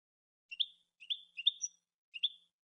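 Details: Goldfinch giving brief, high, slightly buzzy chirps in three spaced groups, each a quick double or triple note, with nothing else audible in the background.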